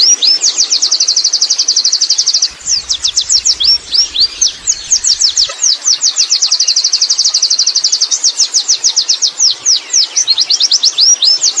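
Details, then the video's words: Extended ngerol song from a wild Oriental white-eye: fast, very high chirped trills alternate with passages of spaced, sharply curving whistled notes, sustained for over ten seconds with a brief low rumble early on. "suara burung pleci ngalas ngerol"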